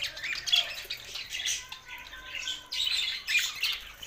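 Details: Budgerigars from Larkana, Sindh, singing: harsh squawky chirps and warbled notes in two main bursts, dipping quieter between them, with a few thin whistled tones mixed in.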